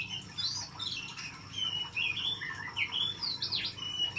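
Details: Oriental magpie-robin (kacer) in lively gacor song. It gives a quick run of looping whistles, falling slurs and sharp upswept notes, with short gaps between phrases and a soft low hum beneath.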